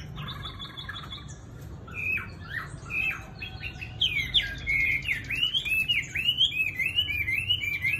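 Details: Tame Chinese hwamei singing loud, varied whistled phrases, first separate clear notes, then a fast run of rolling, up-and-down slurred whistles repeated over and over, with steady background hiss.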